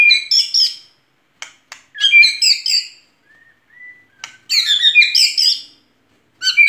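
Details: White-rumped shama singing vigorously: loud, dense bursts of rich whistled and chattering phrases, separated by brief pauses and a few soft, thin whistles, with no other sounds in the background.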